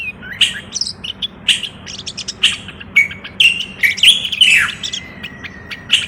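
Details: Moroccan common bulbul singing in a garden: bright whistled and chattering phrases, high and warbling, repeated in quick bursts with short pauses, over a faint low background hum.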